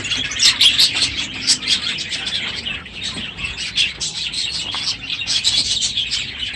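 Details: Morning din of many budgerigars in an aviary as the breeding season ends; rapid high chirps and chattering warbles, louder in bursts at the start and end.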